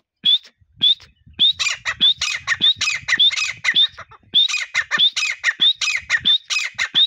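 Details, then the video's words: Partridge calling as a hunter's lure, a continuous series of hoarse squawks and sharp rising whistled notes, repeated quickly for about seven seconds. "teetar ki boli | teetar awaz | shikari teetar ki boli"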